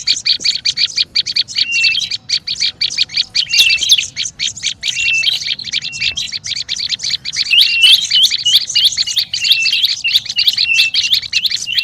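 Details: Olive-backed tailorbird's agitated lure call: a relentless fast chatter of high, sharp notes, about three per second, mixed with twisting whistles, lasting nearly twelve seconds.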